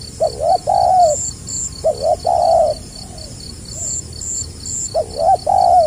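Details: Spotted dove, 2020, 'gagap rapat selang nguku' song: three phrases of stammered short notes and a drawn-out low coo, about every two seconds, with soft extra notes between. Insects chirp steadily.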